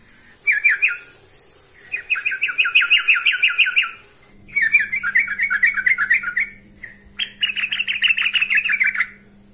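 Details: Trucukan, the yellow-vented bulbul, calling a rival with four bursts of quick bubbly chattering notes, each lasting one to two seconds, with a faint low hum in the background.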